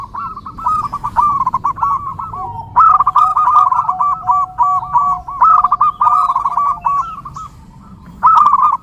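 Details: Zebra dove song recorded for training and attracting perkutut. Quick trilled coo phrases repeat in pulses, while a steadier, lower drawn-out note runs underneath for several seconds.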